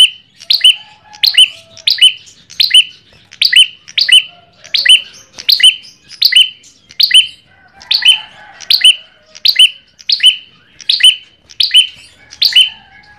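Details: Ashy tailorbird song played as a lure recording; loud, clear two-part notes repeated roughly every 0.7 seconds, each a sharp high stroke over a steadier lower tone, with almost no background noise.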